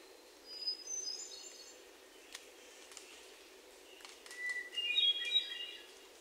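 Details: Hermit thrush song from Sudbury, Massachusetts, June 29, 2023, recorded on a Sony PCM D50 with lavalier mics: two fluty phrases about four seconds apart, the second opening on a clear held tone before climbing into bright cascading notes; faint clicks between.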